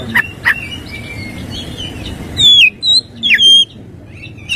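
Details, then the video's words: Morning song of an oriental magpie-robin, full of 'tembakan kristal' mimicry: two sharp notes, then loud, high, twisting whistled phrases, over a steady low background hum. "Kicau Kacer dipagi hari full isian tembakan kristal"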